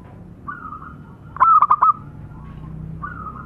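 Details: Male and female local zebra doves singing. A single bright phrase of four rolling, clipped coo notes sits in the middle, flanked by quieter drawn-out purring coos.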